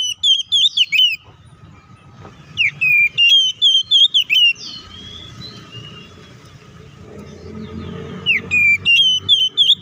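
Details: Oriental magpie-robin in full fighting song, a lure to provoke rival birds. Bursts of loud, sharp whistled notes with downward slurs, each burst several quick repeated phrases, separated by a few seconds of quiet with faint low background hum.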